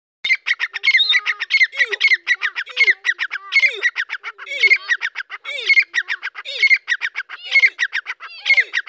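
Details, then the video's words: Young grey francolin calling: loud harsh notes repeated about three times a second in a rapid, insistent run, mixed with lower downward-slurred notes, in a quiet setting with no other sounds. "نوجوان دکنی تیترکی آواز/Dakkni Teetar ki Awaz"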